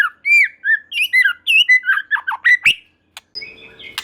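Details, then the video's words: White-rumped shama (murai batu) song aimed at making other shamas respond: a quick run of clear, looping, up-and-down whistles that turns into rough buzzy notes before a brief pause and a faint hum. "Murai Batu Lain Dijamin Langsung Respon dan Nyambar Bunyi, Coba Saja Putar || Voice of Murai Batu"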